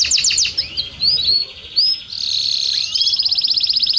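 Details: Domestic canary singing to tutor young birds: a few quick chips and rising whistles, then a long, even, very rapid rolling trill that changes pace partway through.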